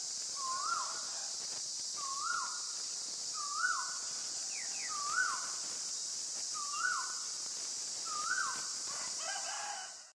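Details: Common myna (Acridotheres tristis) in Ubon Ratchathani, Thailand, 28 February 2022, repeating a short rising then level note about every one and a half seconds, six times, over a steady high drone of insects.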